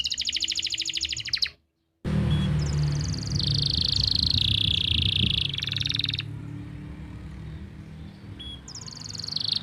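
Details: Canary tutor song from Pati, Central Java: high rapid trills broken by a brief silence, with a rolling tour partly masked by loud low rumbling noise, then fainter trills.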